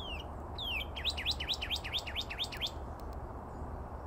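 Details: Lone northern cardinal near Bullfrog Pond, Reach 11 Recreation Area, North Phoenix, February 2024: two long down-slurred whistles, then a fast series of about eight sharp rising-falling chirp notes, over steady low background rumble.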